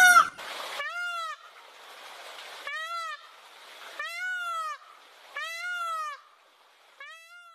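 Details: A peacock in Tharparkar, Sindh, Pakistan, gives five loud, nasal, wailing calls, each rising then falling, spaced about one to two seconds apart, with a faint outdoor hiss between them.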